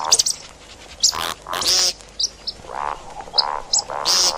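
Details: Calls of the see-see partridge, for hunting: dense overlapping chatter mixing harsh high rasps with short nasal, ringing notes, several coming in quick succession.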